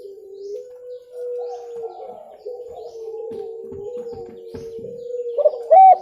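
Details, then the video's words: Spotted dove, in a clear recording meant for luring. Low hollow tones run almost continuously, with slight shifts in pitch, ending in a sharper, louder coo burst. "SUARA TEKUKUR JERNIH COCOK UNTUK PIKAT"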